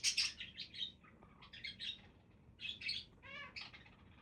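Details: Budgies chattering loudly: a bright opening squeak, then runs of warbled high chirps and a stacked, nasal rising call near the end.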